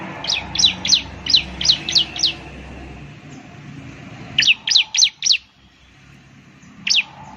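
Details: Gacor-style lure song of a ciblek (Bar-winged Prinia): a run of six sharp falling chirps, a pause, four more, then one lone chirp near the end, over steady low background noise.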